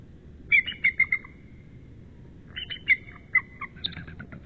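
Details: Male bald eagle incubating on the nest just after midnight, March 10, 2013, answering his mate. Two bursts of high, squeaky chittering notes in rapid descending series, over a constant low rumble.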